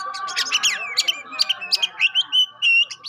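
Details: Oriental magpie-robin singing as a lure to test and provoke other magpie-robins: quick high chirps and short whistles, ending in longer flat whistled notes, over a steady low hum.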